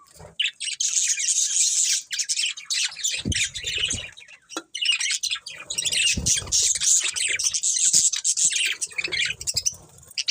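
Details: Pet budgerigar breeding pair chirping almost nonstop, a busy high warbling chatter of scratchy notes and squeaks with occasional soft low knocks.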